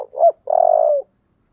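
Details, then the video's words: Spotted dove giving a giọng thổ style song: a short rising coo, a brief pause, then one long, steady, deep coo that ends abruptly, loud and close. "cu gáy giọng thổ"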